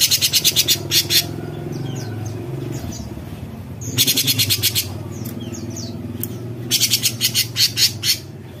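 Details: Cucak cungkok bulbul singing actively, besetan style: three bursts of raspy, buzzy, rapidly pulsed rattling, several seconds apart, with scattered chirps from other birds and a low engine-like hum beneath.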